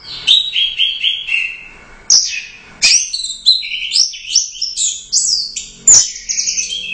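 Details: Caged orange-headed thrush competition winner singing a lively string of rich, descending whistles followed by rapid, jumbled high notes punctuated by sharp clicks.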